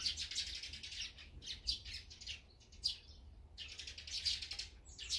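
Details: Eurasian tree sparrows feeding, chattering in bright, high, overlapping chirps in bursts about a second apart, with a soft low rumble underneath.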